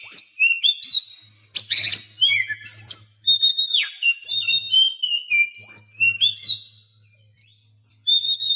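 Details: Oriental magpie-robin song played to teach silent captive birds, including special fill-in material: dense, loud, varied whistles and harsh chips, then a fading pause and a single clear whistle.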